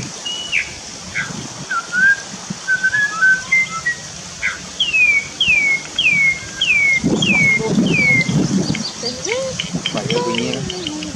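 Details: Wild starling, locally cucak keling, in forest. Varied short whistles open, then a run of six swooping notes that fall sharply, each about half a second apart. Rustling and other faint chirps follow.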